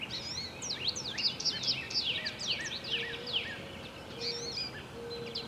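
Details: Young American robins, hatchlings in the nest: a tumbling stream of quick, high, downward-sweeping squeaks from several voices, with short low tonal notes underneath and steady ambient noise.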